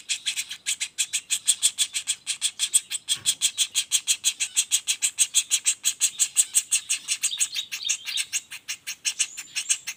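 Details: Juvenile common flameback calling non-stop: a fast, steady series of sharp, high chattering notes, about three each second, continuing unbroken throughout, with a faint low thump midway.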